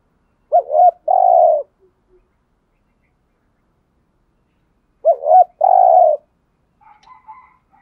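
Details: Spotted dove calling as a decoy to lure wild doves: two identical phrases about four seconds apart, each a short hooked coo then a longer rough low coo, with faint chirps at the end.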